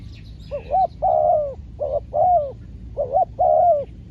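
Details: Spotted dove used as a trained decoy in trapping: three close pairs of a short rising coo and a long, level-then-falling croo, delivered evenly in quick succession. Quiet low background noise.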